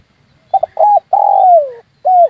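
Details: Lure call of the spotted dove for attracting birds while hunting: a stuttering pair of short coos, a rounded middle note, a long coo gliding down in pitch, then a brief final coo, clean and close.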